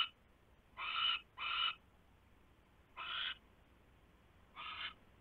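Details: Night at the owl nest, 27 January 2016, when a huge rat arrives; a close pair of rough hissed screeches, then two more spaced single bursts, all harsh and noisy.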